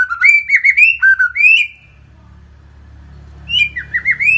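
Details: A white-rumped shama (Copsychus malabaricus) in full, lively song gives rich, rapid phrases of warbled, slurred whistles in two bursts separated by a short pause, over a low steady hum.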